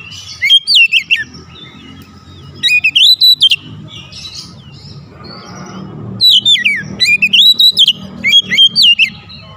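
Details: Oriental magpie-robin lure song used to excite other birds: separated bursts of high, bright slurred whistles and sharp chirps, each under a second long, over a faint low background hum.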